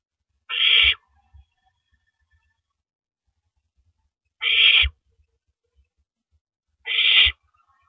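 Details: Owl passing prey, a rabbit, to its mate at the nest on the night of April 9, 2012; three rough, raspy screeches separated by long, irregular pauses of two to four seconds in an otherwise quiet scene.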